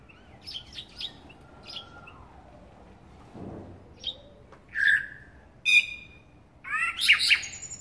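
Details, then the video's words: Eurasian blackbird: faint scattered high chirps at first, then louder fluty notes and a rising, squeaky twittering phrase near the end against a quiet background. "Чёрный дрозд, Turdus merula"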